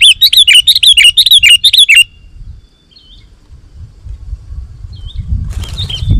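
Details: Sooty-headed bulbul calling vigorously to provoke wild bulbuls: two seconds of rapid repeated chirps, then near silence with a few faint distant notes and a low rustling rumble at the end.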